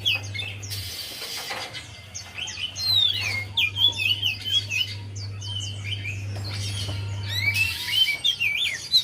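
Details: Javan white-eye song used to coax a reluctant bird into singing; high, quick chirps and slurred whistles come in bursts across the recording, with brief noise bursts and a constant low hum beneath.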